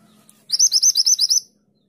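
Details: Lively 'tulit tulit' song of a mountain mantenan, recorded as a master for tutoring pet birds: roughly eight shrill, high whistled notes repeated rapidly and evenly, each sweeping up then down, after a faint low hum.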